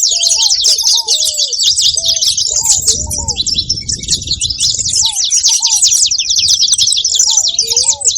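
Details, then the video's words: Loud, constant chatter of saffron finches, overlapping high chirps from many birds, with low, curved whistles at the start and end and a brief muffled rumble mid-clip. "Canário da terra fazendo barulho"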